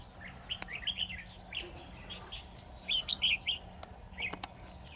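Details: Red-whiskered bulbul decoy in a trap sings scattered chirpy, whistled phrases. Loud warbling comes near the end, broken by a few sharp clicks.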